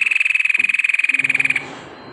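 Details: White-necked tepus song used as a lure to make lazy birds sing; a loud, even trill of rapid pulses on one steady high pitch lasting about one and a half seconds, then fading.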